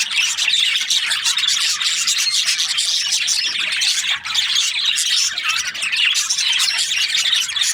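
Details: Budgerigar breeding pairs fill the air with unbroken chirping, warbled and squawky notes overlapping from a crowd of birds.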